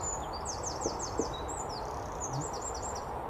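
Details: A fluffed-up Eurasian wren chirping on an allotment in rainy January weather gives rapid, very high, thin notes in quick trilled runs over steady outdoor background noise.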